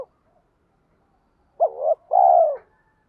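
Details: Spotted dove used as a lure bird, giving a three-part coo: a short note, a brief gap, then a longer falling coo, after a long silence.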